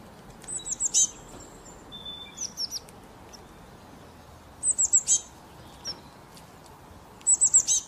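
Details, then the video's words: Wild bird calling in thin, very high chirps: short quick clusters of four or five rapid notes, separated by gaps of a second or more, with a few isolated higher ticks in between and a quiet background. "WILD BIRD SOUND"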